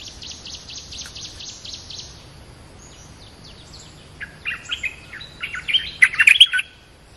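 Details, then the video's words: Streak-eared bulbul, a fierce territory holder in a contest, gives bright chirpy phrases of short rising and falling notes in the second half, after an opening stretch of dense, pulsing insect-like buzzing. "เสียงนกดอกแตงEp.227/2 ปิดเกมส์จ้าวถิ่นโคตรดุ!! ลุ้นกันเหนื่อย Suara pikat merbah lekir gacor"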